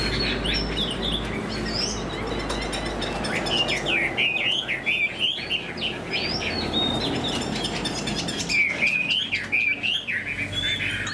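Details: Chinese hwamei, a kept cage bird with a fanned tail and good fighting form, delivers rapid rising and falling whistles in bursts, with a low mechanical hum and some background rustling.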